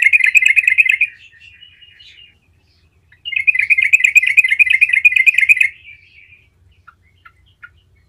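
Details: Gacor yellow-vented bulbul with a rolling lure song meant to set other bulbuls singing: a one-second burst of fast bright chirps fading into soft twitter, a pause, then a longer rapid run trailing off into a few isolated notes.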